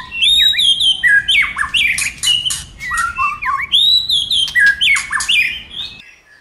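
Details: White-rumped shama singing a many-voiced song used to stimulate other shamas to sing: loud, varied, clear whistled phrases with sweeping rising and falling notes, quick slurs and sharp accents, delivered almost without pause.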